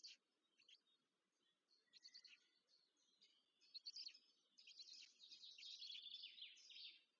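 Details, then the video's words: Begging chicks of the black stork during a feeding at their nest near Łódź, Poland, 14 May 2023. Thin, high squeaks start out sparse, then swell into a continuous, strident chatter toward the end. "Bocian czarny RDLP i UŁ w Łodzi(PL) - karmienie maluszków"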